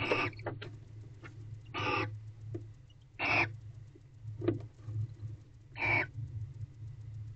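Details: Barn owl in a nest box on the evening of 22 November 2023, just before 6 pm. Five harsh, hissing screeches, each under half a second, come at irregular gaps of one to two seconds over a steady low hum.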